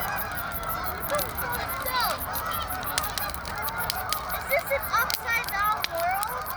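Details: Canada geese honking in a busy overlapping chorus, several clear rising and falling nasal honks standing out, with the sharp snaps and pops of a crackling fire throughout.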